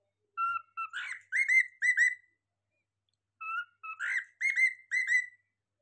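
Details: Cockatiel kept as a pet repeating a whistled phrase twice, about three seconds apart; each opens with two plain level notes and ends in a burst of ringing, swooping whistles, with no other sounds.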